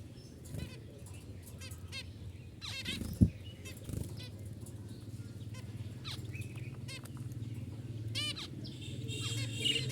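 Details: Budgerigars (Melopsittacus undulatus) start chirping all together in the morning when the curtains open and sunlight comes in, giving quick, high chirps and warbled chatter over a steady low rumble.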